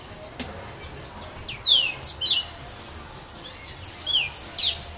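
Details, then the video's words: Serin at Saint-Philippe, Réunion, among filaos, giving two short bursts of thin, high slurred whistles and sharp chirps separated by a quiet gap, with a soft background hiss. "serin pays 974 st philippe"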